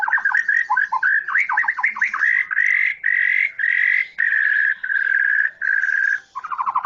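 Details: White-rumped shama, Medan type, opening with rapid chattering notes that merge into long, loud, buzzy sustained whistles, each held about half a second to a second with short gaps.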